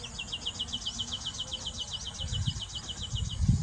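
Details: White-tailed (Marshall's) Iora during courtship behaviour in India giving a fast, steady trill of high, thin notes, about eight per second for over three seconds, over low rumbling background noise.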